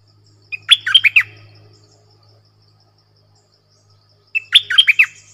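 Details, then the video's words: Clear, doubled-style song of a red-whiskered bulbul. A brief upslurred note leads into a cluster of fluting, bouncing whistles, repeated twice after a pause of about three seconds, over a low hum. "เสียงนกดอกแตงEp.97 Birdsound เพลงเบิ้ล/เสียงใสน่าฟังSuara pikat merbah lekir"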